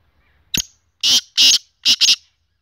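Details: Black francolin, locally kala teetar: one sharp click, then four loud, harsh, grating notes in two close pairs with a short pause between. Each note is hoarse and high-pitched. No other sounds are heard.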